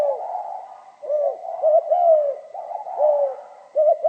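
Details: Low resonant cooing of a spotted dove, 'giọng pha kim' style, with short paired notes and longer falling coos running together in a continuous hollow phrase, a thin steady tone in the background.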